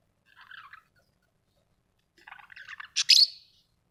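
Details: Soft, mumbled warbling from a pet budgerigar, a pause, then quiet chattering building to a sharp, high buzzy squawk at the end.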